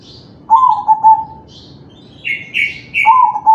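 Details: Crossbred zebra dove, kalung tempuk type, singing to prompt other doves: a low cooing phrase with pulsed ending, then three loud rasping higher notes followed by another low coo. Faint twittering of other birds behind.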